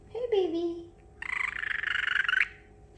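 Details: Excited pet parrotlet making water-like imitations indoors: a short sliding croak-like whistle, then a long rapid fluttering, gurgling trill lasting over a second.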